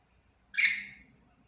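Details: Budgerigar giving a single harsh, squawking call with stacked harmonics that lasts about half a second, then quiet.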